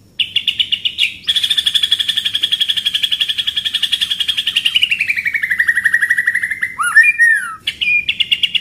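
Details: White-rumped shama tutor recording for training other songbirds, in a rolling 'shooting' pastol rhythm: a fast, even rattling trill held high, then gliding lower over several seconds, ending in sharp rising and falling whistled sweeps before the trill resumes.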